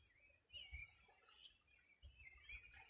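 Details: Wild birds singing on the bank of the Río Bueno, Los Ríos Region, on a summer morning in 2020: a few faint, short chirps and thin whistled notes, with a low rumble beneath.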